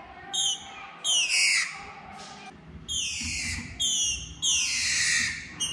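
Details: Begging to mate, a female green-winged saltator gives longer, loud harsh calls that sweep downward, four or five drawn-out notes with short gaps between, somewhat squawky in tone.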